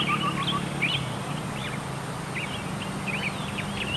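Tektekreyod: quick, irregular high whistled chirps and short slurred notes, several per second, over a steady low hum.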